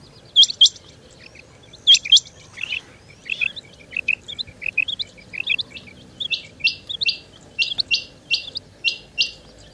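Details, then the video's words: Calling female rain quail, known as chinga batair: a couple of sharp doubled notes, then a run of quicker, softer notes building into a rapid string of short, evenly repeated pulses. "Rain Quail Calling | Chinga Batair Ki Awaz| Female Rain Quail"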